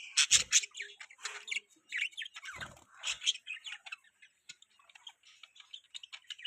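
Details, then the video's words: Several budgerigars chirp and chatter with rapid, scratchy warbles and squeaky notes, nearly continuous, fading into softer twittering toward the end. "budgies chirping sound|budgie beautiful voice"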